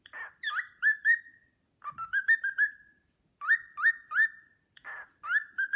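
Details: A cockatiel kept as a pet whistles phrases of the Sportpalast Waltz, its upward-sliding whistles run together into long steady tones, with a few softer breathy chirps between the phrases.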